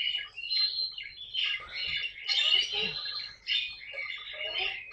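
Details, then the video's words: Pet caique parrot in a compilation of funny moments, giving shrill, high chirping and squawking calls in rapid, uneven bursts with short pauses, strongest in the upper range throughout. "попугай каик!"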